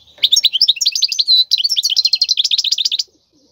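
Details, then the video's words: Wild European goldfinch song for training young birds to sing: a rapid run of twittering, liquid notes and short trills, high-pitched and continuous for about three seconds, then silence. "تغريد الحسون البري لتدريب الفراخ"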